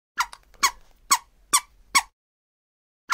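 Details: Scarlet ibis giving short, harsh squeaky notes with a nasal edge, five in quick succession about every half second, then a pause before another note begins.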